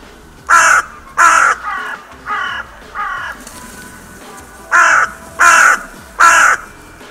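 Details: Crows at the Steinrevier feeding site on 6 January 2022 give a rapid run of loud, grating caws, two strong then three weaker ones, a pause, and three more loud harsh calls close together.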